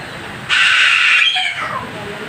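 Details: An angry parrot gives one loud, harsh, raspy screech lasting about a second, then a quieter falling squawk that trails off, over a low steady background hiss.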